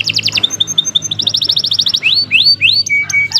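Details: Long-singing canary for tutoring other birds: a quick trill, a row of short pure whistles, a rolling trill, then three rising upswept notes and a steady flat whistle.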